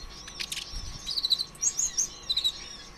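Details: Konin ijoan sunbird song meant to provoke other birds into singing: high, thin chirps and quick descending whistled slurs in short clustered bursts over faint steady background hum.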